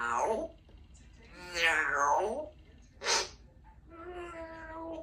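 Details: A 2-year-old female Congo African grey parrot practises her words and sounds one afternoon at home. She babbles speech-like syllables with harmonic, voice-like glides, then gives a sharp noisy burst and a steady nasal tone in a small room.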